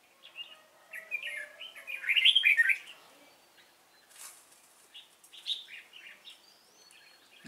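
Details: Singing in a trapping session on 3 March 2017, a Cánh ruồi red-whiskered bulbul decoy gives bright chirpy warbles building to a loud, rich cluster of notes, followed by scattered softer phrases and a brief flutter of noise.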